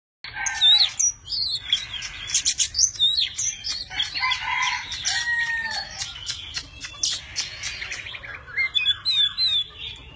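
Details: Tame Oriental magpie-robin singing a varied, many-voiced song while spreading its wings and fanning its tail; rich whistled phrases, sweeping slurs and sharp chips pour out almost continuously, with brief pauses and clicking notes.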